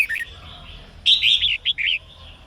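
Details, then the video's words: Female red-whiskered bulbul singing to spur males: a soft warble, then a loud bright phrase of slurred whistles ending in two short chirped notes. "chào mào mái hót kích trống căng lửa"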